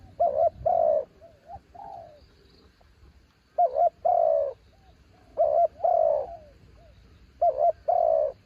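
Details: Spotted dove, a mountain bird used for branch decoying, sings a series of paired coos: a short trembling note and then a fuller falling one. Softer rising coos and faint background noise are heard between phrases.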